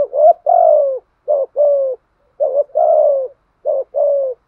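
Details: Spotted dove with a well-drilled, provocative cooing pattern meant to make even shy wild doves call back. Paired low coos, a short note then a longer, slightly falling one, come in steady sets about every second and a half.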